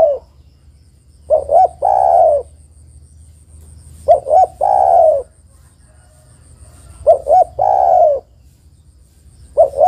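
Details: Spotted dove, a female calling the male. Low cooing phrases recur about every three seconds, each two brief hollow notes followed by a longer falling coo. Three full phrases are heard in a calm setting.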